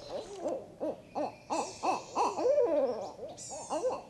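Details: Several Barred Owls, perhaps four or five, in Sparkleberry Swamp, Santee, on a very hot day with heat index over 100: an excited chorus of rapid, hoarse, rising-and-falling hoots, broken by one long wavering downward-sliding note.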